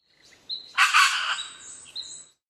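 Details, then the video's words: Australian red wattlebird, dated 21 December 2015, giving one loud grating call: a short thin whistle, then a burst of harsh noisy rasp lasting about half a second, fading into buzzy whistled tails. "澳洲的紅垂蜜鳥（Red Wattlebird ）"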